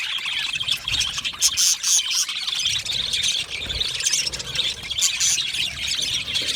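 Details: Many budgerigars chirping happily in a colony setting: continuous overlapping warbled chatter and high whistled notes, with some low rumbling thuds beneath.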